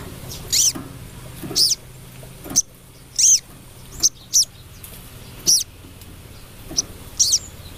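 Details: Female crested jay calling the male: sharp, high squeaky notes arching downward, given singly at irregular intervals of about one second, over a faint low hum.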